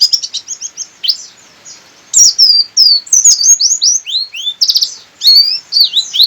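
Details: Local Sukabumi Buxtoni Javan white-eye singing insistently with beak open, delivering high, sweeping downward-slurred whistles and rapid chirp trills in dense phrases, with short gaps between bursts.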